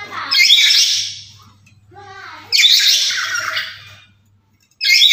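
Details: Black-capped lory, a daily caller kept as a master sound to lure and excite other lories, repeats loud, raspy, broad screeches about every two seconds, with softer squawks between bursts over a faint electrical hum.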